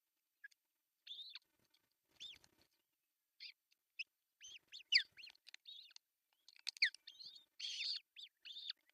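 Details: Osprey at an artificial nest in Pohjois Satakunta, Finland, on June 10, 2024, the male bringing a big fish for breakfast; repeated high whistled chirps about every two seconds, growing denser and louder toward the end.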